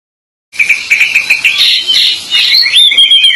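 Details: Pied bushchat singing vigorously: a dense run of bright, high whistled and chattering notes, steady at first, then rising into a sweeping whistled flourish that slides down at the end.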